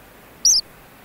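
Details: A single short, piercing high cheep with a slight upward-then-down inflection from an ancient murrelet chick in a burrow on Frederick Island.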